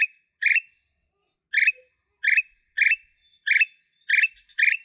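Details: Black-capped bulbul giving blorok-style song: short rich gurgling phrases repeated over and over at a brisk, slightly uneven pace, with a faint high squeak near the start.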